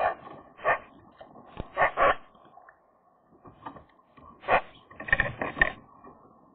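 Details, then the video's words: Magpie at a contested nest on a sunny, chilly day; scattered rasping, broadband chatter notes and quieter nasal murmurs, arriving in uneven clusters separated by a near-silent gap of about two seconds. "magpie nest challengers part 3, nice song"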